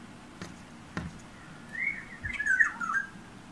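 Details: Oriole at a bedroom window, a yellow bird that sings and taps on the glass; two sharp taps come first, then a rich liquid whistled phrase of several slurred notes, against steady low indoor hum.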